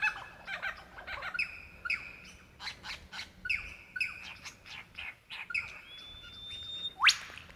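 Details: Male lyrebird seeking a mate, Dandenong Ranges National Park, Victoria, Australia, February 2016: a chain of crisp chirps and short whistles, repeated in rhythmic groups, ending with a long whistle and a steep upward sweep.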